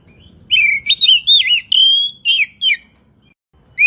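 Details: Oriental magpie-robin song recorded as a morning and evening tutor track for training songbirds: clear, varied whistled phrases with rising and falling slurs, given in quick bursts, then a pause before a last whistled note.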